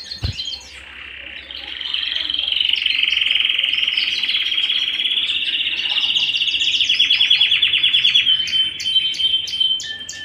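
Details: Canary singing at home after a brief thump: a loud extended rolling trill building into rapid pulsed repeats, closing with sharp clipped chirps.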